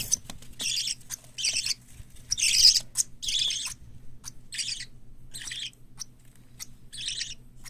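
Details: Young hand-reared parakeets, white lovebird, cockatiel and budgerigar chicks, produce scratchy, wheezing begging rasps in uneven bursts that fade toward the end, over a faint background hum and occasional clicks.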